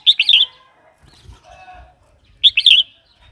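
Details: Red-whiskered bulbul song used to rouse new or wild birds and train young birds: a quick bubbling four-note phrase, repeated about two and a half seconds later, with faint warbles and low knocks between.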